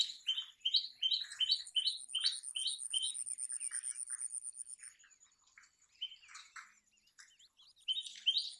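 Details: Common tailorbird singing: a fast run of loud, sharp two-part chirps repeated about three times a second, fading into softer scattered notes, then resuming; a steady thin high-pitched whine runs through the first half.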